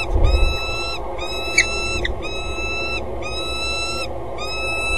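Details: Female peregrine falcon perched on a gutter edge at a water tower in Axel, 25 February 2013, 07:54, calling before mating with the male: five long, harsh, harmonic wailing notes, each about a second, repeated steadily over low background rumble.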